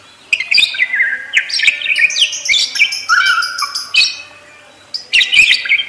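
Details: Chattering parakeet song: continuous twittering warbles with rising and falling slurs, a lower buzzy phrase near the middle, a short pause, then a final burst of chirps.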